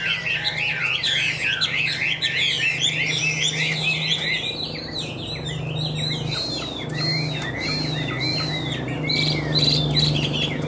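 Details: Caged Chinese hwamei of the Tam Hoàng type, kept for sale, singing high and ornately: a continuous stream of varied slurred whistles and warbles, rising and falling quickly, over a steady low electrical hum.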